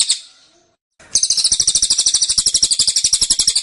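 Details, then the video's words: High, rapid pulsed trill from a velvet-fronted nuthatch kept as a cage bird, in the dense, insistent tembakan style; a faint fading note, a pause of about a second, then a steady fast chattering burst. "Tembakan Cililin Suara Rapat Dan Ngotot"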